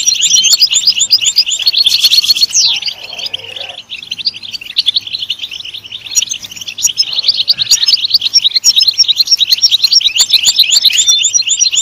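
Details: European goldfinch song, a fast stream of twittering, tinkling high notes and buzzy trills, continuous throughout, with a brief sliding whistle near the start.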